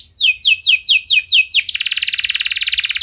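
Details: Canary singing to provoke other canaries into song. Five loud slurred downward whistles, then a fast even buzzy trill.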